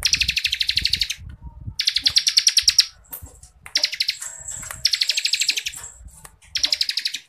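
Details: Ciblek kristal, the bar-winged prinia, in full dense ngebren song recorded as master material for bird-singing contests. Repeated bursts of fast, high, rasping notes, each about one second long, are broken by short pauses, with soft low thumps underneath.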